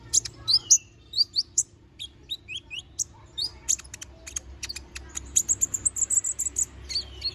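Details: Little spiderhunter (kolibri ninja) in lively song with sharp filler notes: quick paired chips and short descending whistles, then a fast, almost trilled burst of very high, piercing notes near the end.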